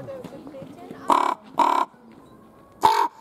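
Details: Common raven in Schönbrunn Zoo, February 2020, captured on a Panasonic HC-V270: two hoarse, croaking caws close together, a short pause, then a third harsh caw over low background sound.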